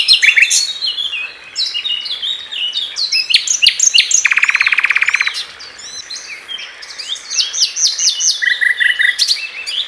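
A common nightingale sings a rich, varied song of whistles and chirps, with a fast rattling trill in the middle and a burst of repeated notes near the end.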